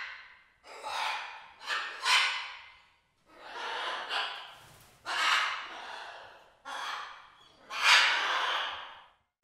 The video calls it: Macaw sounds